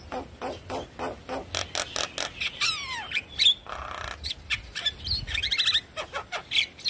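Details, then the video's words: Javan myna song used as a lure recording to get other birds singing: a rapid jumble of harsh clicks, chatters and squeaky whistles, with a few descending slurred notes and buzzy rattles, delivered in quick bursts. "Pancingan Jalak Kebo Macet Bunyi Ampuh Bikin Cepat gacor"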